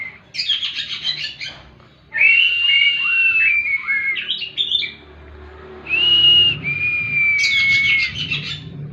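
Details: Oriental magpie-robin, locally kacer, singing 'tembakan' as bird therapy: scratchy rapid chatter, then long loud whistles with warbled tails, a pause, and a further pair of clear whistles.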